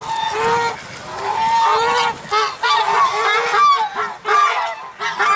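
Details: African geese honking in the Jordan Valley, filmed January 19, 2021: loud nasal honks repeated in quick irregular bursts, several birds overlapping, with brief pauses between calls.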